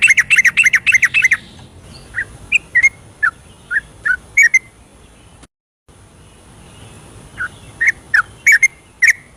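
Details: Yellow-vented bulbul night song meant to stimulate reluctant birds: a fast rattle of whistled notes opens, then spaced bright whistles and doubled phrases, a brief silent gap, and more quick whistles, with a thin steady high tone behind.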